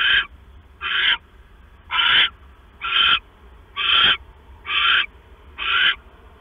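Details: At 10:52 PM on September 6, 2015, a male owl brings the female a mouse at night; seven evenly spaced, coarse hissing screeches, each about a third of a second long, close to one per second.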